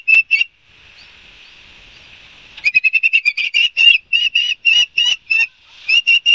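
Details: Ospreys at Barnegat Light, New Jersey, on September 5, 2022, around 11:06: two short high whistled chirps, a soft hiss, then a fast run of sharp, piercing whistles repeated about three times per second.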